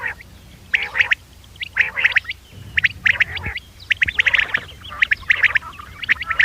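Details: A Common quail recording used as a hunting lure: quick bursts of sharp, rasping notes in short clusters, repeated about once a second, with a faint hiss behind.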